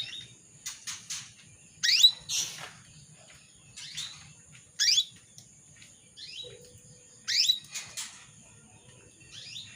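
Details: Calls of a female canary summoning a male, used to rouse a male into singing: bright, rising, whip-like notes mixed with short rasping chirps, several bursts spaced a few seconds apart, with a thin steady hum in the background.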